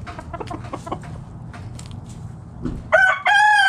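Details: Backyard chicken flock foraging in the morning: soft clucks and taps, then a rooster bursts into a loud harmonic crow at the end, the last note held steady.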